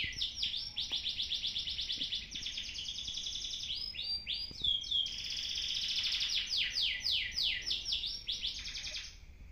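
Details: Canary in continuous song, recorded on an old camera to judge whether it can compete: long runs of rapid repeated descending notes alternating with smoother whistled rolls, about four notes a second, light background hiss.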